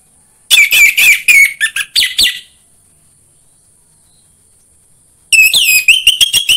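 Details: Song of an orange-headed thrush meant to encourage a captive bird to sing: a dense burst of rich, varied whistled phrases, then nearly three seconds of quiet before another fast series of sharp, ringing notes; faint constant high hiss.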